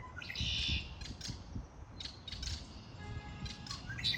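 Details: Birds singing in spring: several short, high chirps and twittering bursts scattered through the clip over a steady low rumble, with one brief low whistled note near the start.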